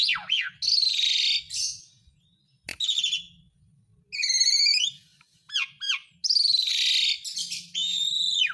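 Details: Asian pied starling song played to coax silent birds into singing: loud buzzy rasps, sharp whistled downslurs, rattling squeaky phrases and a sudden click, separated by brief pauses.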